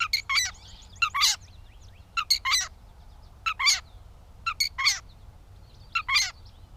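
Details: Gray Catbird (Dumetella carolinensis) in Bowdoinham, Maine, on 16 May 2020 gives short, scratchy, squeaky phrases in pairs or triplets, roughly every second, over a faint low background hum.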